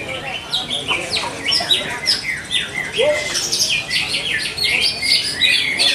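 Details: Greater green leafbird singing lively at a bird singing contest in Bekasi: rapid run of sharp, down-slurred chirps and clipped whistles, roughly two to three notes a second, over a busy background of other caged birds chattering.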